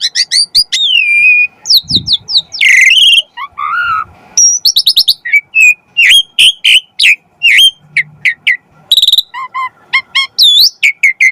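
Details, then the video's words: Song of an Asian pied starling, meant to stimulate other starlings to sing: dense sequence of chirps, grating squawks, hooked whistles, and fast clicking notes, almost without pause. "Suara Burung Jalak Suren - Masteran & Pancingan Jalak Agar Mompa Gacor Full Isian Mewah & Bagus"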